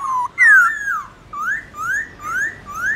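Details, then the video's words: Morning song of a Black-throated laughingthrush, a bird trained to sing in contest forest-style voice: a string of loud, clear whistles rising and falling, about five phrases repeated roughly every half second after a long opening slur. "Khướu bạc má hót đấu giọng rừng buổi sáng"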